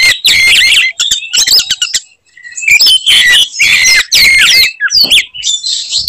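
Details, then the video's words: Oriental magpie-robin (kacer) in fighting song, pouring out 'tembakan' material meant to make other magpie-robins furious. Bursts of shrill whistled and grating phrases, a silent break of about half a second, then further energetic varied bursts. Distorted, clipped sound. "kacer gacor tarung bongkar materi tembakan khas bikin kacer lain NGAMUK dan EMOSI"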